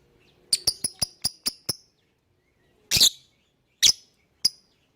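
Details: Lovebird chirping, used as a lure to make other birds sing along: a fast series of seven sharp, high chirps, then a pause and three louder, harsher chirps spaced about a second apart.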